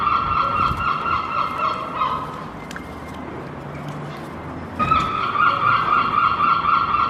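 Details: Two Herring Gulls fight over a cigarette butt, squabbling in harsh, nasal squeals packed into rapid bursts in two spells with a short lull between, over a low hum of background noise.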